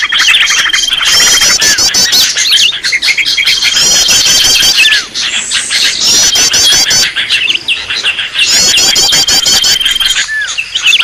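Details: Green leafbird giving a noisy call used to draw in other birds: rapid clicking chatter mixed with buzzy looping trills and a drawn-out flat whistle that comes back several times.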